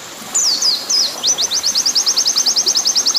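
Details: Oriental white-eye master song, long 'nembak panjang' type, mixed with water sound: three looping down-slurred whistles open, then a fast steady trill of high chips, over a continuous faint hiss.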